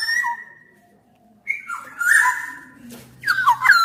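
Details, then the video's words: Black-naped oriole singing actively: a sustained clear whistle, a silent gap, then liquid rolling phrases that rise and fall, ending on a bright slurred whistle. "Kepodang emas gacor"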